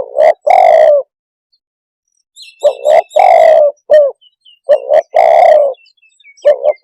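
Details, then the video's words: Spotted dove repeating its coo phrase, short doubled notes then a long low coo and a clipped end note, with faint high chirps from other birds in the background. "suab nquab quaj zoo tiếng chim cu đất"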